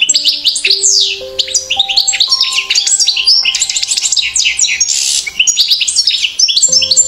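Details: Female European goldfinch while building a nest; a fast, tumbling twitter of high chirps and buzzy slurred notes, nearly continuous, with faint steady low tones underneath.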